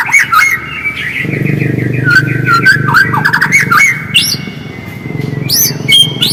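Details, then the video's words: White-rumped shama song used to provoke singing: a long run of varied whistled notes dipping and rising, followed by loud high sweeping whistles near the end. "PANCINGAN MURAI AGAR GACOR DENGAN SUARA ASLI"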